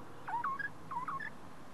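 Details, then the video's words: Wild Australian magpie calling back and forth with a person in an Australian shopping centre car park: two quick phrases of gurgling, swooping notes that each end on a higher held tone. "MagpieConversation-Talk with Wild Bird"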